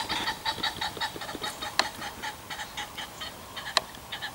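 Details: Pheasants in farmland fields near a shoot, part of lots of pheasant activity, give a quick series of short, nasal clucking notes, several each second, broken by two sharp clicks.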